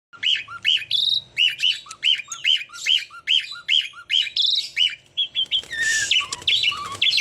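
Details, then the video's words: Tame Javan pied starling singing steadily: a fast run of short hooked whistles near the same pitch, repeated about twice a second with lower chirps between, then harsher buzzy notes and slurred whistles toward the end. "JALAK SUREN GACOORR JINAK"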